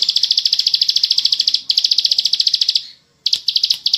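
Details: Bar-winged prinia delivering a fast ngebren song: two runs of quick, evenly spaced high ticking notes, a fading tail, a brief silence, then the trill starting up again.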